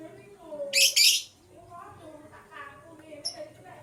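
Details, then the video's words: Blue and green lovebirds chirping in the morning: two loud, harsh, buzzy chirps close together, a later brief high chirp, and faint softer warbling sounds between them. "Blue LoveBird - Green LoveBird Chirping Sound"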